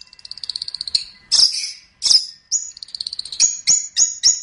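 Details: Long-tailed shrike on a tutoring recording for other birds: a fast, even ticking trill of high notes, then loud, shrill, buzzy notes, followed by a run of sharp, repeated high chips.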